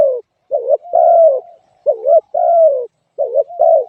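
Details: Spotted dove uttering a rhythmic series of low coos, each short quavering note answered by a longer, gently falling coo, with nothing else audible.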